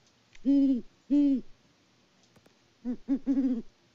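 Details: A great horned owl of a mated pair hoots close to a farm cam in Peabody, Kansas, in February. Two long, loud, deep hoots are followed after a pause by a quicker string of four shorter hoots.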